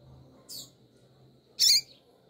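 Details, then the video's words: Female double-collared seedeater calling to excite the male, giving two short high chirps about a second apart, the first faint, the second louder with a wavering, twisting tone, against a quiet background. "FÊMEA DE Coleiro FOGOSA Piando E Chamando MUITO ESQUENTE SEU COLEIRO"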